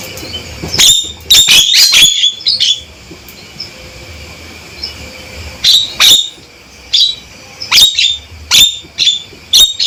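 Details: Loud, stable calling by a male Javan myna: clusters of harsh, clicking notes at the start, a pause, then sharp chip-like calls repeated about once a second with faint hum beneath.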